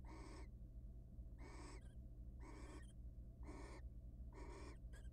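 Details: Wild barn owls in a monitored nest box, mating repeatedly before egg laying; hoarse, rasping, broadband screeches about half a second long, repeated roughly every second, over a steady low electrical hum.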